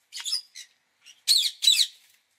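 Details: Indian ringneck parakeet giving short bursts of raspy, shrill squawks, two quieter notes followed by two loud harsh screeches close together.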